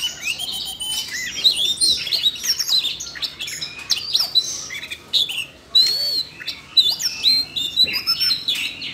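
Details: Caged Siberian rubythroat singing excitedly, set off by voice-training audio played for a young bird: a dense run of high, fast, varied warbles and sharp chirps with brief pauses, crowded and continuous, in a small indoor space.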